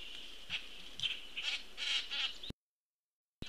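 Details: Juvenile Common Grackle begging as an attentive parent feeds it, recorded 22 June 2018 in mid-afternoon on a live nest feed: harsh, buzzy, broadband squawks about every half second, five in a row, over a steady high hum, then a brief dropout.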